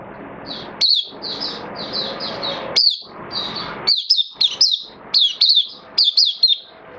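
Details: Caged oriental white-eye in Singapore, 11 September 2022, form dipped a little: high thin twittering notes in short bursts, interspersed with sharp clicky chips, over a steady low background rumble.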